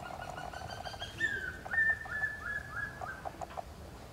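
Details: A wild African grey parrot (Psittacus erithacus), recorded close up, gives a burst of harsh, nasal, buzzy notes, then a run of clear whistles, some level and some sliding, about five in three seconds.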